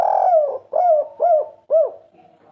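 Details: Spotted dove, a cage bird, in a training recording of the three-note 'kuk 3' cooing style: one long, falling coo followed by three short, arched, mellow coos in quick succession, in a quiet indoor setting.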